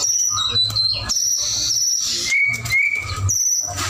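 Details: Pure high whistles from a white-rumped shama in lively song, long drawn notes held steady then dropping to lower clear whistles, separated by short gaps; a low background hum persists.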